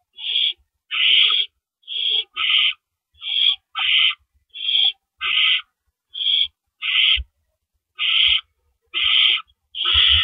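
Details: At a nest at night in April 2012, while the owls trade rabbits in and out, a steady run of about a dozen short, grating hisses in ten seconds, some doubled, with occasional soft knocks beneath.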